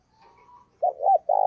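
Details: Spotted dove decoy bird calling in the morning to draw in wild doves, giving quick rough coo notes in a brief burst after a faint thin tone.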